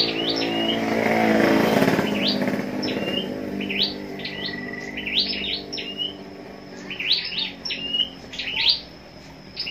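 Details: Scarlet-backed flowerpecker, a captive singing-contest bird, giving thin, high, sharp ticking and twittering notes in quick bursts, with a man talking over the start.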